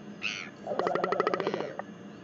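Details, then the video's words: Northern royal albatross in New Zealand, recorded 12 February 2021: a short high note, then a rapid run of pulsed, harmonic-rich nasal notes lasting about one second, over steady background hiss. "NZ Northern royal albatross"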